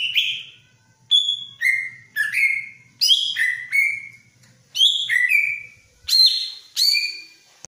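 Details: Whistled song of a greater green leafbird in breeding mood, keen to mate: a lively series of clear notes, many sliding downward or stepping between two pitches, given about every half second with short pauses.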